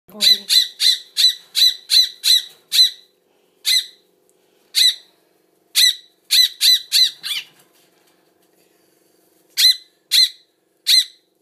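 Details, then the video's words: Hand-fed baby bird begging indoors, loud high squawky chirps in rapid runs of about ten, then scattered single calls and short bursts, with a person's soft voice offering more food at the start. "Feeding Baby Bird"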